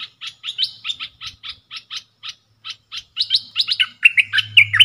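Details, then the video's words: Caged bulbul of the dok taeng song style in a duel with wild birds, 3 October 2021: spaced chirps, then rising into rich, rolling warbles with sliding notes, a low hum at the close. "เสียงนกกรงดอกแตงEp.82 ดวลเพลงกับนกป่า!!Birds sounds"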